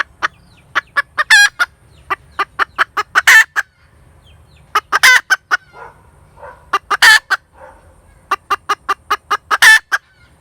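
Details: Domestic hen cackling in several bouts of quick staccato clucks topped by long, loud, grating squawks, with a few softer notes between bouts.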